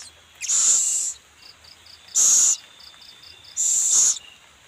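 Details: Owl seen feeding its young makes three strong, evenly spaced rasping hisses, each under a second long, while crickets chirp in short regular pulses between them.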